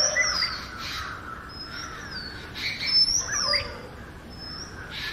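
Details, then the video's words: Oriental magpie-robin singing naturally, with clear whistled phrases high up that arc up and down, several short sweet notes spaced about a second apart over a steady blurred chorus of other bird noise. "Magpie Robin Singing 🎶 7-Different Sweet Melodies of Magpie Robin"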